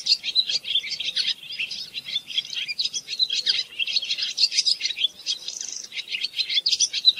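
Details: Barn swallow song: a fast, continuous twittering of high chirps and warbles, packed tightly with no pauses, a few brighter notes rising above the rest.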